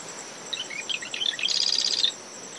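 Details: Marsh wren (Cistothorus palustris) song at early morning from coastal dune shrubs by a nest: several thin chips lead into a rapid, rattling buzz, while brisk wind, breaking waves and a steady cricket tone fill the background.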